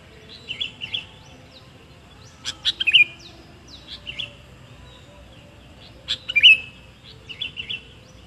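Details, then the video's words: Sooty-headed bulbul used as a lure sound: repeated bright chirping phrases with quick rising and falling notes, some preceded by sharp clicks, recurring every few seconds over a soft steady background hiss. "PIKAT KUTILANG"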